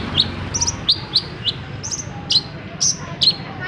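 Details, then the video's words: Long-tailed shrike recording used to prompt quiet shrikes into singing: short high chirped notes near the top of its range, spaced irregularly about every third to half second, over a low steady background hum. "UNTUK MEMANCING CENDET PENDIAM YANG LAGI MALAS BUNYI"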